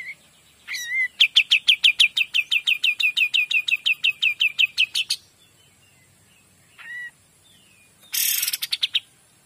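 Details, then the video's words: Kapas tembak singing gacor, clearly recorded as a master for magpie-robins: a whistled note leads into a long, rapid rattle of sharp, high, repeated notes lasting about four seconds, then a short whistle and a harsh chattering burst. "KAPAS TEMBAK GACOR DOR"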